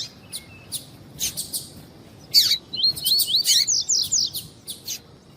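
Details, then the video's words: Coleiro (double-collared seedeater) in tui-tui song style, a warm-up recording for tournament birds: sharp clicky chirps, then a run of quick high sliding whistled notes rising and falling, ending in scattered chirps. "ESQUENTAR COLEIRO TUI TUI"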